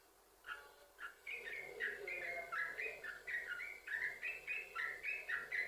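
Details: Yellow-vented bulbul in vigorous, continuous chained song (sambung ropel) used to prompt other bulbuls to sing: quick bubbly two-note chirps, dropping and rising, tumbling roughly four per second after a short quiet start.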